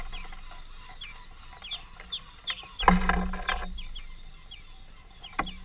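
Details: Greenfinch family feeding at a workplace: thin, short downslurred chirps, repeated several times a second, partly masked by loud low thuds and a burst of broadband noise midway.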